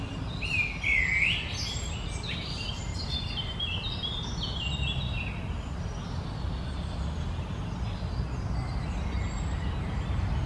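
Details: Common Blackbird in a garden on the morning of 1 June 2020 sings one mellow, fluted phrase ending in a high twittering flourish, then fainter phrases follow over a steady low rumble of wind or traffic.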